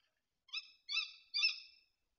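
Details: Tawny owl calling often at a feeder in the Bieszczady mountains on 7 September 2023. Three harsh, nasal call notes come in quick succession, each about a third of a second, against silence.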